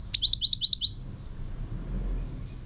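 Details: European goldfinch singing: one quick burst of about seven high, sharply repeated chirping notes in under a second, then quiet with low background hum.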